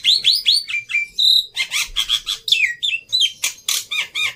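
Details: Black-winged myna in varied song, used to draw birds into singing. Bright, slurred whistles rise and fall, mixed with harsh chattering notes and a few squeaky upward flicks in an even, steady flow.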